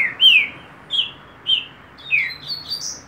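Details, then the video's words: Green-winged saltator, known locally as trinca-ferro, singing in the paulada style: loud, clear whistled notes that slur down, given in short bursts about every half second, ending in higher, thinner phrases. "TRINCA FERRO PAULADA"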